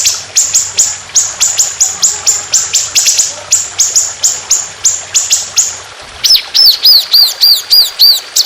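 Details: Trotolan songbird of Indonesia in a fierce, long, harsh, continuous shooting masteran training recording with trickling water: rapid downslurred ticks repeated about three per second for six seconds, then looping arched whistles.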